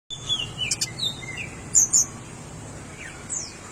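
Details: Tickell's blue flycatcher giving short, high, thin whistled notes that slide downward, a pair of brighter sharp chirps near the middle, then a last faint descending note over a soft steady background hiss.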